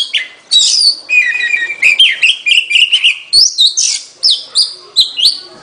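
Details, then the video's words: Oriental magpie-robin song: bright whistled phrases mixed with harsh buzzy notes and quick chattering bursts, sweeping up and down in rapid succession. "เสียงนกกางเขน ร้องชัดเสียงชัด 2020 Oriental magpie robin"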